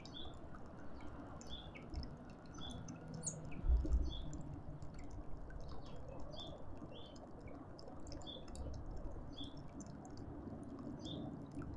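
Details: A ringed male African grey hornbill in a suburban garden in Pretoria, South Africa, gives a long series of thin, high piping whistles, several per second, over a steady low rumble.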